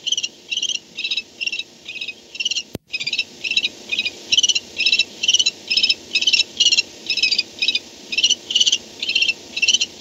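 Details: Barn owl calls at the nest at 4:38 am on 2-10-16, as an adult returns at night: a steady series of short, buzzy, rasping bursts, about two per second, with one sharp click partway through.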